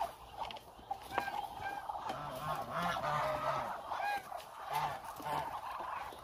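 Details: Large hungry flock of roughly 1000 Muscovy ducks walking around, giving a busy mix of short arched honks and low grunting notes that swell and fade over several seconds.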